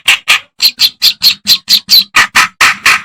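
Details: Harsh reed warbler song from a master recording meant for training songbirds, with a steady string of loud grating chirps a little over two per second. The notes alternate between lower and higher-pitched rasps.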